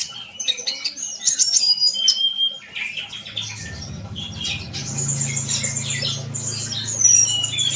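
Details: Sunbird song of high chirps and brief whistles in irregular bursts, over a steady low rumbling background noise in the second half.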